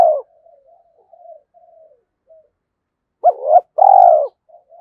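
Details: Spotted dove used as a fighting decoy: quiet, rambling low coos for three seconds, then a loud double coo followed by a long, strong, slightly falling note.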